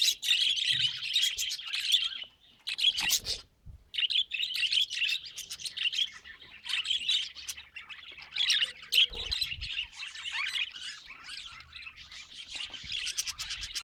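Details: Steady budgie chatter of fast, high, squeaky twitters and chirps running almost without pause, with a couple of soft knocks in the background.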